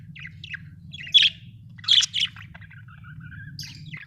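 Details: Budgerigar giving a few loud sharp chirps and squeaky notes among softer twitters, plus a brief thin whistle, above a steady low hum.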